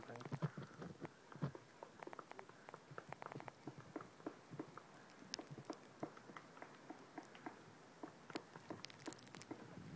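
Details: Magellanic woodpeckers, four birds found feeding on a tree in Torre Valley, two on the same trunk, hunting insects; dry irregular knocks and taps come in dense clusters, some in quick runs, with faint rustling between.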